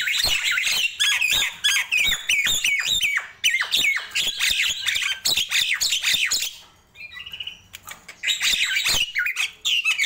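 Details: Nias hill myna singing in the morning: lively bursts of loud squawky whistles and sharp downslurred notes, rapid and irregular, with a short quieter gap before a clear whistled note and renewed chatter.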